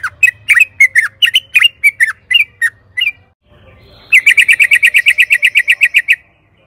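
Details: Sooty-headed bulbul gives about a dozen bright, bubbly whistled notes in three seconds, then a fast even run of about sixteen chirps after a short pause; used to prompt captive bulbuls to sing.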